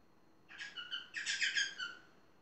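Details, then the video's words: A parrot vocalizing: a harmonic, chattering squawk phrase lasting about a second and a half, with stacked tones rising and falling, quiet background otherwise. "Попугай Поли"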